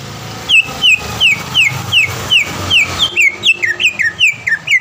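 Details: Caged greater green leafbird, often a contest winner in Palembang, repeating crisp downslurred whistles about three times a second against steady background noise.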